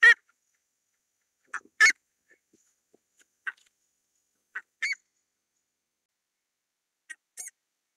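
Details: Buff-necked ibis calling: loud, harsh honking notes, mostly paired with a short note before a longer one, in bursts about every one and a half to three seconds, with silence between.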